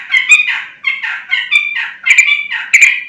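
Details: Prolific sooty-headed bulbul song, used as a lure so other bulbuls reply: separate warbled phrases of jumbled, slurred notes, each roughly half a second long, coming one after another.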